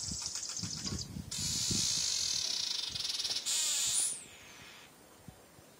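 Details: Male weaver bird fighting its mirror reflection, a daily morning habit: long, high, hissing buzzes with fast pulsing, a brief sweeping whistle, then quiet.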